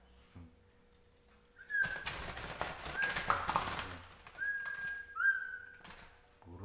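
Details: Handled zebra dove (local wild-type perkutut) fluttering between hands as it is held and counted, its wings beating in two rough, papery flurries of about two seconds each, with a few thin whistled notes and a man speaking quietly.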